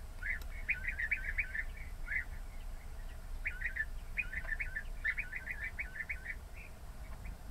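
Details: European bee-eater giving short rolling, trilled calls in quick bursts, with a pause in the middle, over a low background rumble.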